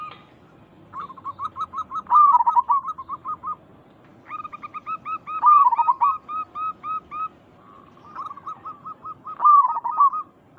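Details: Local zebra doves cooing to provoke answers: three bouts, each a quick series of short notes climbing into a loud warbled, rolling phrase, separated by brief pauses.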